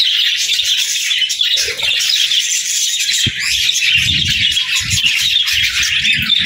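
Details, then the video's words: Group of budgies warbling together, a continuous bright tangle of overlapping twitters and chirps with no pauses, plus a sharp click in the middle and soft low knocks later on. "Parakeet Videos | Beautiful Birds Singing"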